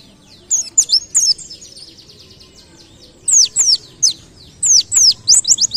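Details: Wild white-eye singing in a canary-like style as a tutor recording: bursts of sharp, high, down-slurred whistles, some in quick runs, separated by a pause of about two seconds, over faint low background hum.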